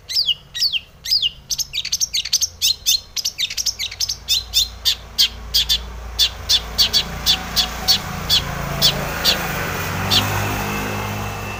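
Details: Long-tailed shrike singing to draw song from other shrikes: a fast string of sharp, clicking chatter notes that gradually fades into a rising background hiss.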